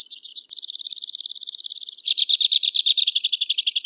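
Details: Two-barred crossbill singing a rapid rattling trill, a tight even buzz of repeated notes that shifts after two seconds into a coarser, looser series of chirps, all high-pitched.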